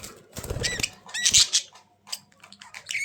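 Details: Budgerigars make scattered squeaky chirps and short rising whistles over rustling and low scraping sounds of movement.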